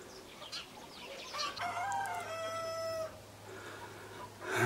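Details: Crowing black-blue mottled Leghorn rooster: one drawn-out, harmonic crow of about a second and a half that dips slightly at the end, over a low steady hum and soft background clucking.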